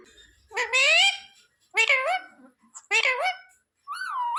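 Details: Talking parrot that repeats devotional phrases like sita-ram and jay shree ram, plus mummy papa: four separate rough, voice-like harmonic utterances with pauses between them, in a quiet indoor room.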